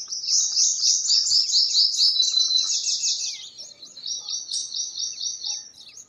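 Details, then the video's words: Purple sunbird singing a fast, high, sweet trill of rapidly repeated notes that runs for about three seconds, followed by a second, slightly softer trill of evenly spaced chips. "Purple Sunbird Songs - Purple Sunbird Sound - Purple Sunbird Call - Purple Sunbird Singing"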